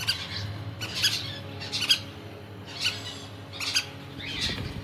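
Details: Crimson-bellied conure calls: short, harsh, high squawks in bursts roughly every second, with low background hum.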